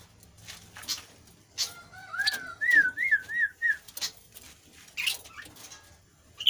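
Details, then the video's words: Kasu kasu bird singing actively, used as a lure to prompt lazy kasu kasu birds to sing: scattered sharp clicks, then a rising whistle followed by a run of quick wavering, looping whistled notes. "burung kasu kasu anda pasti akan merespon"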